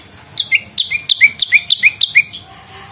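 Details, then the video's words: Olive-backed (lumut) prinia song used as a lure and master recording for training songbirds: a quick series of paired notes, a high sharp chip dropping to a lower slurred whistle, repeated about eight times in under two seconds. "SUARA BURUNG PRENJAK LUMUT GACOR !! PANCINGAN BUNYI / MASTERAN DAN SUARA PIKAT PRENJAK CENG VOLUME +"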